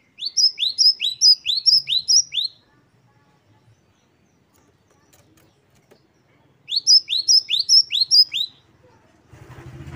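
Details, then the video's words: Great tit (gelatik batu) tutor recording in wucit-wucit style, two strings of about eight crisp rising whistles each, separated by several seconds of quiet, with a burst of noise at the end. "Gelatik batu gacor | Glatik Wucit2 10 variasi Masteran Gelatik Gacor | Parus Major."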